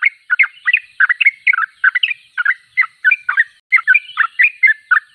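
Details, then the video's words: Sooty-headed bulbul (trucuk), noted as a constant singer (gacor), delivering rapid clusters of short chirpy, slurred notes in rhythmic bursts with brief pauses between groups and little background noise. "Trucuk termewah suaranya paling di cari"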